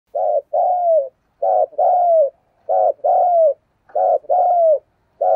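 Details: Spotted dove decoy bird giving the urging coo style, repeated pairs of a short coo followed by a longer, slightly falling mellow coo, about four pairs in quick succession with clean pauses between.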